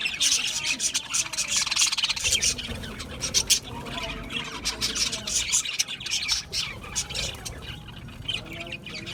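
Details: Budgerigar flock chattering steadily, with layered twitters, squeaky chirps and brief harsh notes running on without pause throughout.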